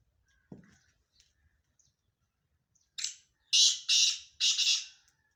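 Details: Rasping call of a black francolin, a short note followed by three loud, coarse, buzzy bursts in quick succession, preceded by a faint low thump and scattered quiet chips.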